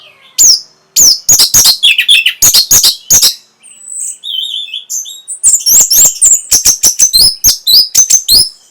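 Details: Orange-headed thrush song meant to rouse breeding condition and provoke answering song: loud, fast strings of sharp, high chips and whistled notes, broken by a brief softer gap midway, then resuming in a dense, rapid run.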